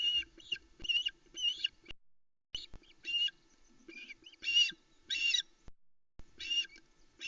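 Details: Osprey chicks alone on a Loch Arkaig nest at 05:42 on 16 July 2020 squeak in excitement as the male arrives with a trout: rapid, shrill, whistled chirps in bursts, pausing between volleys, over a faint low hum.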